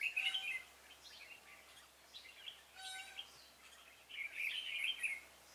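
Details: Red-whiskered bulbul used as a decoy during a trapping session for wild bulbuls on 26 February 2018. Short bubbly warbled phrases come in two bursts, at the start and near the end, with fainter thin calls from other birds in between.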